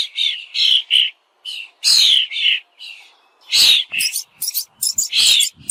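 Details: A bird chirps busily in rapid, uneven bursts of high notes, some harsher and broader, pausing briefly mid-sequence before a faster run of calls.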